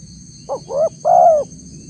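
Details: Close, loud spotted dove phrase recorded to attract wild doves, a clipped rising note, a swelling scooped coo and a long soft falling hoot, over faint low hum and a steady high whine.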